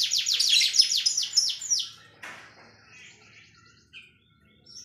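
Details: Canary 'tembakan' song: about two seconds of fast, sharp repeated swept notes, then the singing drops to faint, distant twittering with a brief click.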